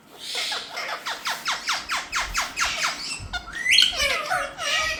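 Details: Parrot saying "Mithu": a steady run of about a dozen short descending squawks, roughly three per second, then a higher whistled rising note and scratchy chatter.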